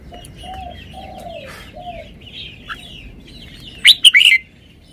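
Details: Red-whiskered bulbul showing its song phrasing: after a few seconds of distant whistled notes and chatter from other birds, a loud, close burst of short, sharp warbled notes ends the passage.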